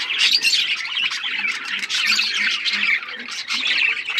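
Budgerigars chatter in a dense, continuous warble of scratchy chirps, squawks and high twittering notes, several birds overlapping without pause.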